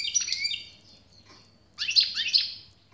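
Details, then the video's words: European goldfinch twittering: a sweet, slightly buzzy phrase at the start, a quiet gap, then a louder, dense burst of chirps and ringing notes, over a faint background hum. "SAKA ÖTÜŞÜ"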